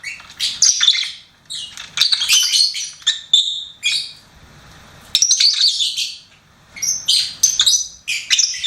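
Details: Singing pet lovebird: rapid runs of piercing, twittering chirps and squeaky notes grouped in bursts of one to two seconds, with short silences between.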